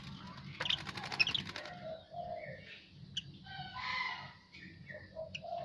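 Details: Asian pied starling after bathing, opening with a buzzy rattle of rapid clicks, followed by scattered whistles, slurred squeaky notes and short chattering phrases.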